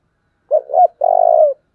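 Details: Single thúc phrase from a decoy spotted dove used to draw in wild birds: two quick, rising coo notes followed by a long, even, purring coo of about half a second.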